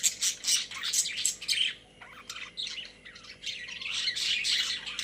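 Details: Budgies kept as pets in a cage: a run of loud, rapid scratchy chirps, a short lull, then softer, steady warbling chatter that swells again toward the end.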